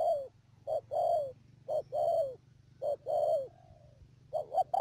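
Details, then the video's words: Spotted dove decoy for trapping, Mương Điều, Cà Mau, Vietnam, 12 March 2019: four low two-part coos, a short note then a longer falling one, one trailing into a faint tail, with a thin high whine throughout. "BẪY CHIM CU GÁY CÀ MAU .BỔI MƯƠNG ĐIỀU"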